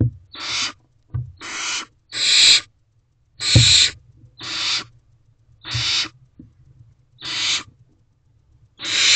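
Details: In a nest box on a May evening, a hungry barn owlet hisses for its absent parents: eight steady, airy screeching hisses, roughly one each second, with faint thumps from movement.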